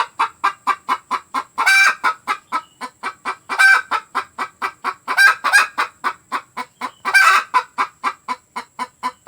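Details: Free-range village hen calling loudly after laying an egg, a call said to draw the flock together: rapid harsh clucks repeated several times a second, broken every two seconds or so by a longer, louder, raspy squawk.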